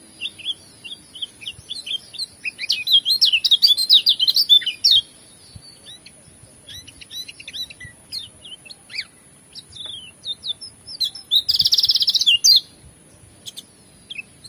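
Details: A Lombok lemon-bellied white-eye, recorded as tutor song, sings in quick, high twittering bursts of varied chirps and trills, including mimicked calls of other songbirds, with a steady thin high whine underneath.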